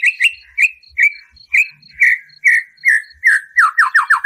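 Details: Captive-provoking white-rumped shama song: a series of short whistled notes repeated about every half second, speeding into a quick falling run at the end, with a soft high ticking throughout.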